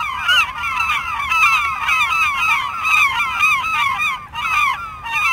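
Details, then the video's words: Several gulls give clamorous, nasal yelps, each note sliding downward, packed into a near-continuous chorus with a brief lull just after four seconds. "Martı Sesleri | HD Martı Bağırma Sesleri - Martı Cıvıldama Sesi - Komik Martı Sesleri"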